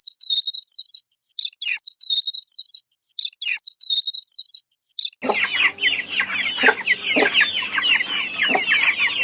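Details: Chickens on a farm: a run of thin, high peeps in quick bursts gives way to a dense, noisy chorus of overlapping calls.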